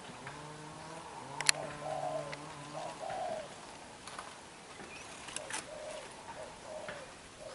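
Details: Young, newly caught black-eyed spotted dove cooing hard. Low, hollow, drawn-out coos sound in the first seconds, followed by scattered knocks and rustling noise.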